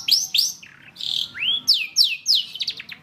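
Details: Long-tailed shrike song used as training audio for songbirds: clear, arching whistled sweeps and a buzzy held note, followed by quick, descending slurred whistles and a short, rapid chatter.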